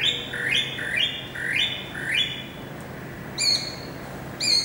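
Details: Greater racket-tailed drongo song from 7 February 2018: four rising whistled slurs repeated about every second, followed by two bright ringing metallic notes with a quiet gap between.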